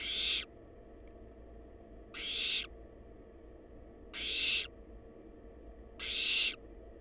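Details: Nest-box camera on wild barn owl chicks captures four evenly spaced, harsh breathy screeches, one roughly every two seconds, each lasting about half a second, over a low steady hum.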